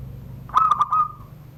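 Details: Zebra dove of Serang, Banten, a private collection bird, gives one SURUNG GDOR phrase: a burst of rapid bubbling notes, then a long, even, whistled coo, over a low background hum.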